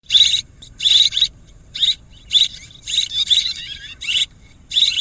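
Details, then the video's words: Swiftlet calls: bursts of high, rapid twittering chirps, each about a quarter second long, repeated in an uneven series with short silent gaps and faint low background hum. "ສຽງນົກແອ່ນ ຄໍເລດ Tiếng én, Tiếng Chim Én เสืยงนกแอ่น คอเลด"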